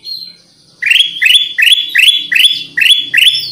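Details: Black-crested bulbul, known locally as kutilang emas, heard in a lure recording: after a brief high thin note, loud chirps sweep sharply upward, repeated steadily about every third of a second.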